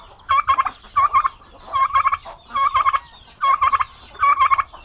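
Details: Bravo-tempered male domestic turkeys sharing a pen on a farm in Paraná, Brazil: five loud, rolling gobbles repeated a little under once a second, each a tight cluster of stuttered pulses.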